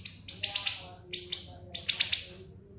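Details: Sharp siri-siri master song for cage-bird training: three quick bursts of shrill, high chipped notes, each burst holding three to four strokes.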